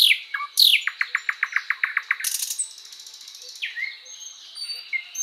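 Thrush Nightingale song: sharp down-slurred whistles, then a fast run of about a dozen dry, knocking clicks, a harsh buzzy burst and softer rising notes.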